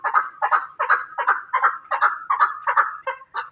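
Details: Chukar partridge from Pakistan giving a steady series of harsh, clucking chuck notes, each a short burst repeated about two and a half times per second for several seconds, with no other clear sounds.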